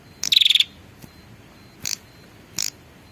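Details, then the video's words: Female prinia calling to attract a male. One quick buzzy rattle of rapid pulses is followed by two brief high chips about a second apart. "suara pikat burung prenjak betina memanggil jantan"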